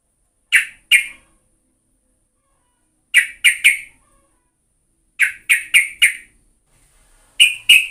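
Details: Yellow-vented bulbul used as a lure sound: groups of two to four sharp, harsh chip notes delivered in quick bursts, with pauses of one to two seconds between groups.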